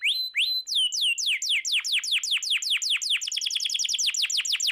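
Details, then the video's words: Canary song meant to stir silent birds into singing: opens with two sustained rising whistles, then long chains of downward-sliding notes that speed up into a tight, fast trill. "Suara burung kenari gacor cocok buat pancingan kenari macet langsung gacor"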